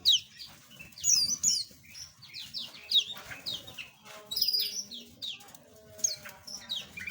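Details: Several small aviary birds give quick, high, falling chirps in irregular clusters, some notes thin and piercing, over a quiet low background hum.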